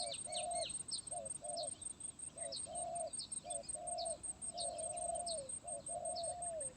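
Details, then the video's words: Spotted dove, stuttering 'gagap tindan' (sepatah) song style, 23 January 2022: a steady run of low mellow coos, paired short notes and longer drawn ones, set against loud hissing insects and scattered high bird chirps. "Burung Terkukur Gagap Tindan (Sepatah)"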